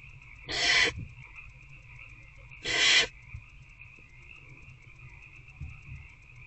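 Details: In a barn owl nest box on the night of 19 February 2024, with an adult feeding an older owlet, two strong rasping hisses about two seconds apart stand out above a continuous humming drone and light rustling.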